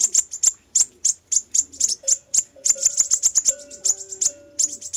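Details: High, clipped tick notes of a fire-breasted sunbird, a recording for luring birds, repeat at a steady pace and quicken midway, with a low droning tone underneath.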